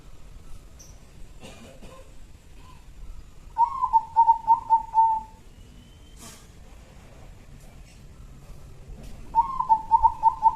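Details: Local zebra dove used as a lure bird, a loud, long-voiced caller from Jambi: two bouts of rapid, mellow, quavering coos on one low pitch, each bout lasting about one and a half seconds, over a faint background hum.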